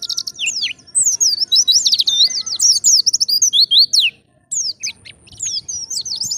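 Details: Wild-style Indonesian white-eye song meant to attract other white-eyes: fast, chattering run of high, sharp whistled slurs and twitters, breaking off for a short silence before resuming with scattered bright notes.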